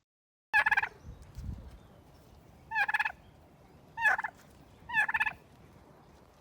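A turkey gobbles four times, each a rapid, bubbling rattle of notes lasting about half a second, spaced one to two seconds apart.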